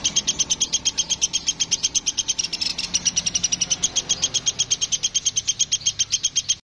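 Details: Woodpecker, locally called platuk sampit, calling actively: a fast, steady string of sharp, high, ringing notes, about eight per second, running unbroken for almost seven seconds over faint low background noise.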